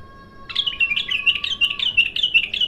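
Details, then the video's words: Bulbul singing raw during its first opening: a run of quick warbled phrases about one per quarter second, each a short rising-falling chirp at mid-high pitch, over a steady faint tone and low background noise. "تغريد الابتر خام اول فتحـه له"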